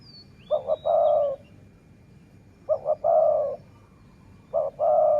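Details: Dove from a decoy-luring session giving three regular phrases, roughly every two seconds, each two quick short notes followed by a long, low, steady coo, with a faint thin whistle at the start.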